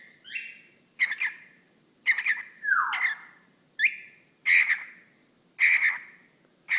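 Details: Male whiteface lutino cockatiel kept as a pet speaks to a sock puppet, loud buzzy squeaks of mimicked words roughly once a second, one phrase sweeping downward in the middle, uneven rhythm, quiet indoor setting.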